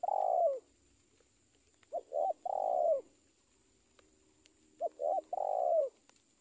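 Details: Spotted dove cooing; the end of one long coo, then two phrases each made of two short clipped coos followed by a long, drawn-out coo that falls at the end, about three seconds apart, over a faint steady high hum.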